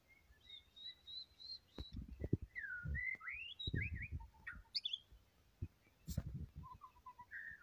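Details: White-rumped shama singing hard, a steady high whistled note followed by rich looping, rising and falling whistles, with low thumps and knocks beneath the phrases.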